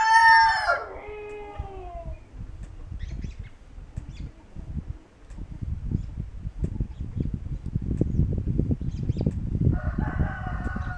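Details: Homegrown Kencana hybrid rooster, an Ameraucana x Barred Rock-Ameraucana cross, crowing in a barn on January 26, 2013: a loud harmonic crow falling in pitch over two seconds, then low rumbling barn noise, and a second crow starting near the end.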